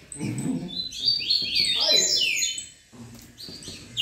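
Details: A Green-winged Saltator (Saltator similis) sings a busy chatter, a jumble of bright chirps and slurred, high whistles at about four notes a second, with faint low voices at the start.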